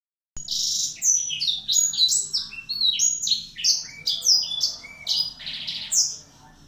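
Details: A Black-throated canary, recorded as a lure track for other birds, sings a fast, unbroken warble of high, sweet twittering notes and slurred trills that tumble up and down, with faint background noise.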